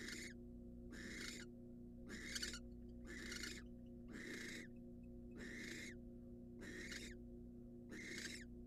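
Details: Rasping, noisy barn owl calls from a wild bird incubating in a research nest box, eight broad hissing bursts in under nine seconds at a fairly even pace, with constant low electrical humming beneath.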